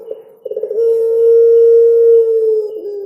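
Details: Puter pelung dove singing a coo with cengkok ornamentation: a few quick stuttering pulses, then one long, steady, low hooting note held for about two seconds before dropping slightly at the end.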